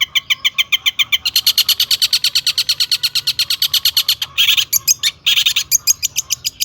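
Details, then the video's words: Energetic long-tailed shrike song full of mimicked phrases, played as a lure to set other shrikes singing. A steady, fast run of sharp chips comes about six per second, broken near the end by two louder harsh bursts. "burung cendet gacor ISIAN AMPUH untuk PANCINGAN CENDET AGAR BUNYI"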